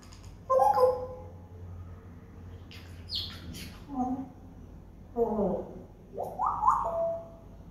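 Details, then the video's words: Pet parrot at the front door giving talking sounds: a loud opening phrase, a higher squawky note, then several separated speech-like bursts with sliding pitch and a final level held tone. "Talking Parrot - Front Door"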